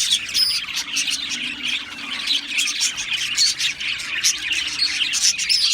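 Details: Australian parrots chirping together, a dense, continuous chatter of high twittering notes and short warbles with many birds overlapping, steady throughout.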